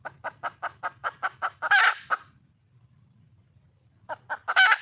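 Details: Wild junglefowl hen calling to find a male: eight regular, punchy clucks lead into a long, hoarse squawk and a last cluck. After a silence a new run of clucks ends in another squawk.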